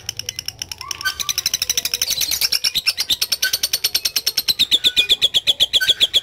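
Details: Lovebird in active song with a long 'ngekek': a very fast, high rattle that builds in loudness, its pulses becoming slower and more distinct toward the close, with a faint low hum early on.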